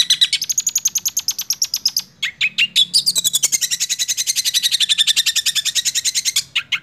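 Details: In roll speed and nembak song, a six-month-old long-tailed shrike alternates fast shimmering trills with a few sharp, separate high shots before resuming the rapid rattle.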